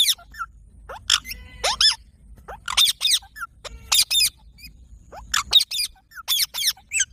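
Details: Parrot giving sharp, shrill screeches in short bursts of two or three, separated by brief pauses, with a faint low rumble underneath.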